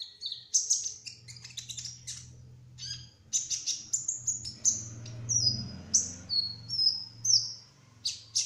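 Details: High-pitched twittering song of a trotol kolibri ninja sunbird, delivered 'gacor ngerol' style: quick clusters of thin chirps, then evenly spaced bright whistled slurs, with a low hum underneath.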